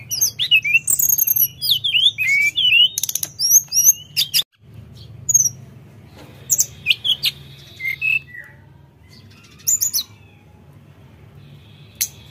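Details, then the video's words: Sooty-headed bulbul singing in bursts of sharp, twisting high whistles and clicks, pausing briefly before sparser slurred notes and isolated chips, with a low humming background. "Tledekan Gunung Gacor Dor Gada Obat"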